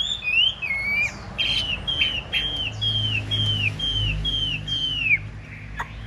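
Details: Large-bodied caged hwamei in a fighting display, singing well: a run of loud, down-slurred whistles repeated about twice a second after an opening warble, with low background hum.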